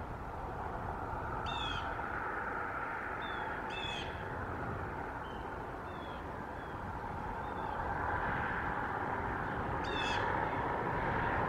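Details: A bald eagle, the resident female at the Decorah nest, gives short, high, squeaky chittering calls on 8 January 2024, drawing her mate to the tree, likely over an intruder, amid wind and traffic roar; bald eagle.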